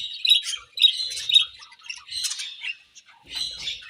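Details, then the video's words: Eating budgies give a run of short chirps, about two per second at first, then scratchy warbled chatter and a final burst of chirping over a faint low rumble. "Budgies Chirping Sounds While Eating"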